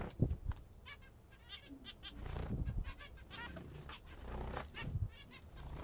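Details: A group of pet zebra finches eating what they love, repeating short nasal calls over a steady low rumble and scattered thuds.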